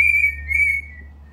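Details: Pet cockatiel indoors, carefully learning a song note by note, gives a clear steady whistle in two held notes followed by a fading tail.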